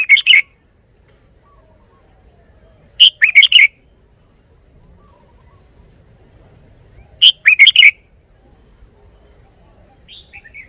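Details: Red-whiskered bulbul repeating short, punchy whistled phrases of four or five notes, spaced three to four seconds apart in a quiet setting, with a brief faint call near the close.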